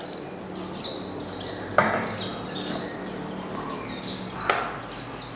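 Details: A captive white-eye (pleci) long kept in a hobbyist's collection gives thin, high twittering phrases, quick and jumbled, with sharp chips; a man talks softly and handling thumps sound twice.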